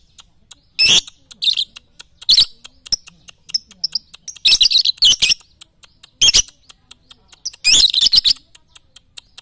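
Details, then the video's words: Lovebird chatter used as training audio for morning, noon and night: dense clusters of loud, shrill, buzzy chirps come in bursts every second or two, with quick ticking notes between them. "masteran Lovebird pagi siang dan malam"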